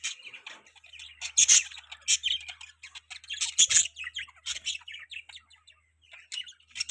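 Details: Budgies chirping: busy, scratchy chatter of short squeaks, clicks and warbled notes in uneven bursts, with a faint low hum in the background.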